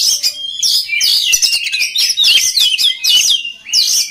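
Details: Oriental magpie-robin singing to train other birds: a fast, continuous run of varied whistles, sweeps and chattering trills, loud and high-pitched, with hardly a break.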